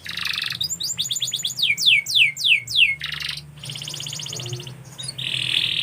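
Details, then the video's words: Canary singing a fast, varied song: a buzzy trill, then a run of about nine repeated descending whistled sweeps, another rapid rattling trill, and a bright high note at the end, over a low steady hum. "KICAU BURUNG KENARI"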